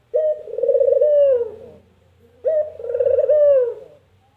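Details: A puter dove gives two of its characteristic "kuk gerruuuk" phrases about two seconds apart. Each is a short note and a long throbbing coo that drops in pitch, over a quiet steady low hum.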